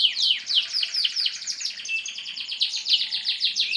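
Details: Durasi canary song from Indonesia: quick downslurred chirps repeated almost four times a second, blending into a rolling high trill.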